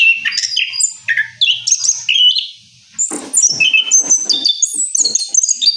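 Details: Orange-headed thrush after its moult, singing a rolling song: varied whistled and slurred phrases, some rising, some falling, with harsh chattering notes, a brief pause near the middle.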